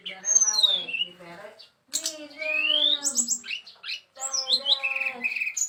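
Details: Brown-chested jungle flycatcher singing rising and falling whistles, one long upward slur and bursts of rapid high chirps, broken by short pauses, with people's voices audible beneath.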